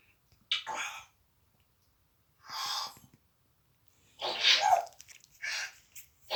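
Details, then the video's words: An African grey parrot gives a series of short, breathy sneeze imitations, four or five sharp bursts spaced about a second or two apart, with a TV playing in the background. "Parrot is Back pretending to Sneeze"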